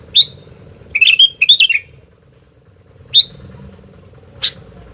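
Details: Sooty-headed bulbul (gentilang) in full lively song: an opening chirp, then two rapid bubbling phrases of varied whistled notes, a pause, then two more single sharp chirps spread out, over a continuous low hum.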